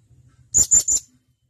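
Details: Blue-crowned hanging parrot calling three times in quick succession, each note a sharp, very high thin whistle, evenly spaced; faint low rumble beforehand, recorded as a training call for keepers of caged birds.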